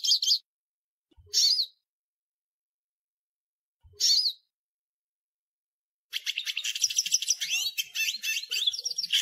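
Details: Hooded siskin giving three separate brief twittered phrases with long pauses between, then launching into a dense stretch of rapid high chirps and trills.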